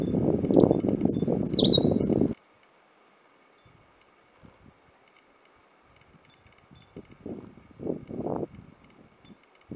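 A single high, thin whistled phrase from a scaly-breasted cupwing, wavering up and down, over a heavy low rumble of wind, then soft rustling and taps.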